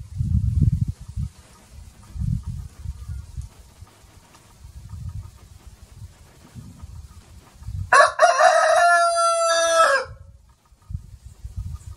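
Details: A single loud rooster crow of about two seconds, sustained and harmonic, rising out of low rumbling bumps and handling noise that come and go throughout.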